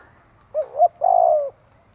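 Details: A single Spotted dove phrase for training decoy birds: a quick two-part hooting note, then one sustained, gently falling coo lasting about half a second.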